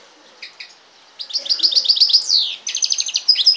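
A goldfinch–canary hybrid sings a fast, high twittering song of bright chirps and liquid trills, rising into rapid rattling runs. No other sounds are heard.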